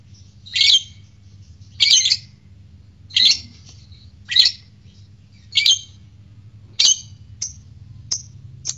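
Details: Lovebird calling to provoke others to sing ngekek: loud, grating, high chirps spaced about one and a quarter seconds apart, ending in a few brief thin peeps over a faint background hum.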